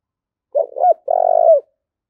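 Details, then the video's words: Spotted dove cooing to provoke fighting: a short, broken low coo, then a longer, steady, slightly throbbing coo that falls away at the end, about a second in all, clean with no other sounds. "Tiếng chim cu gáy thúc đấu"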